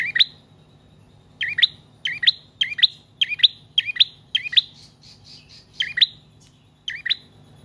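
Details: Long-singing bar-winged prinia, used as a lure and as a master for cage birds: a fast run of sharp, bright chirping phrases, a softer faint stretch, then a few more spaced chirps.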